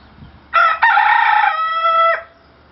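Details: Dwarf rooster crowing in Italy: one loud crow of about one and a half seconds, a short first note, then a long harmonic-rich note ending in a steady, flat tone that stops abruptly.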